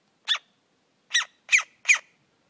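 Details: Rescued woodpecker chick, hand-fed with milk, barking: four short harsh squawky bursts, the first alone, then three in quick succession about a third of a second apart, in a quiet indoor setting.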